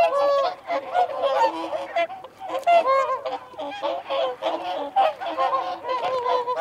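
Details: Loud, overlapping trumpet-like honks from whooper swans giving feeding and territorial calls, short bugled phrases tumbling over each other in a crowded flock.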